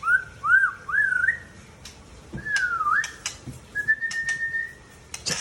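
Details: Mature male Aceh white-rumped shama from Tangse giving clear slurred upward whistles, a swooping dipped note, then a long level whistle, with scattered sharp clicks and taps around the phrases.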